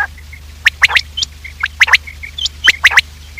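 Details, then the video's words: Morning quail call played to lure quails: tight bursts of three sharp, liquid notes, two or three groups in a few seconds, with soft chirps in between and a low electrical hum. "Quail trap sound effect : lure in Quails with this effective call | Bater Awaz Subha 2024"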